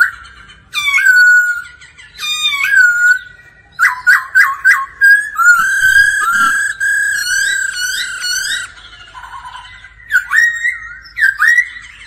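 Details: Daily singing practice of a laughingthrush accompanied by a female's ro ro calls; rich, varied whistled song of rising and falling slurs, fast stuttered note runs and brief pauses, loud and clear throughout.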